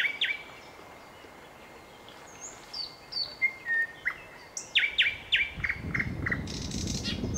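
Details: Nightingale singing: a run of varied clear whistled notes, short level tones and quick sharp chirps in separate phrases, growing louder and busier, with a broad rushing noise rising underneath toward the end.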